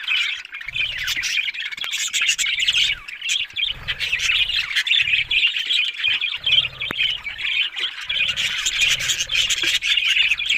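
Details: Several pet budgerigars chattering together, a dense, continuous warble of scratchy chirps and squawks with short pauses, loudest in the upper range, with faint low thumps beneath.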